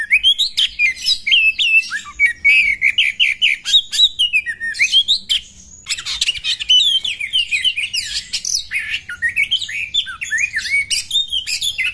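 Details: Female Oriental magpie-robin voice used to make males quickly agitated, spreading their tails and fighting; a long, dense stream of rapid whistled slurs, chirps and scratchy notes, with a brief pause near the middle.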